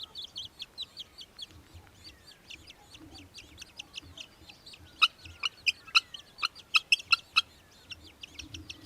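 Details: Australian hobby in Victoria, Australia, December 2023, giving a fast, chattering series of sharp, high kek notes. The notes start moderately loud and grow louder and more insistent toward the end, with a faint low hum beneath.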